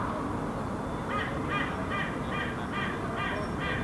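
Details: Hooded crow in Helsinki, Finland, June 2016, near a fledgling on its likely first day out of the nest; a parent bird gives a quick run of about seven harsh, raspy caws over low rumbling noise.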